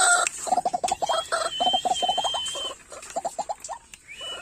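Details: White-breasted waterhen giving a rapid series of short, harsh, nasal clucking notes in uneven bursts, with a thin, drawn-out whistle from another bird in the background.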